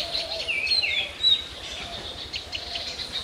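Oriental magpie-robin singing clear, varied whistled phrases with quick upslurred and downslurred notes, over a steady background hiss of insects or distant noise.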